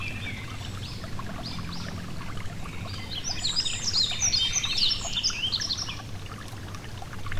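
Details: Near a gentle stream, a yellow-throated bunting gives a high, twittering phrase of sharp chirps and slurred whistles from about the third to sixth second, preceded and followed by faint notes and steady low water noise.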